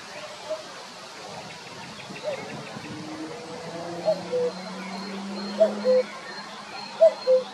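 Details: A male common cuckoo at Jarun, Zagreb, Croatia, on 23 April 2022, gives three clear, falling two-note 'cu-coo' calls about a second and a half apart, over a low background hum and faint distant sounds.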